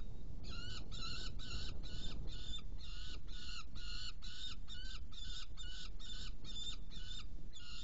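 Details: Hungarian Saker falcon nest scene, 16 June 2018, with prey brought in and two young fed: rhythmic series of hoarse, scratchy notes, roughly three per second, continuing without a break over a steady low-pitched rumble.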